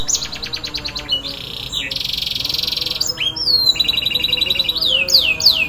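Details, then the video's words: Canary song meant to trigger a silent canary into singing: fast high trills, buzzy sustained rolls and sweeping whistled slurs in quick succession, over a steady low hum. "PANCINGAN KENARI MACET"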